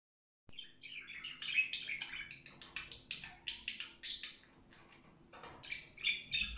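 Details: Budgerigar warbling in a lively, continuous stream of chirps, clicks and squeaky notes, with short bursts packed closely together and a faint steady hum underneath throughout.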